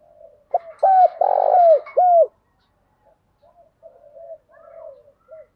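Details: Spotted dove decoy singing to stimulate and challenge a rival bird: a soft coo, then a loud run of deep hooting notes with one long throbbing coo, trailed by several faint, distant coos.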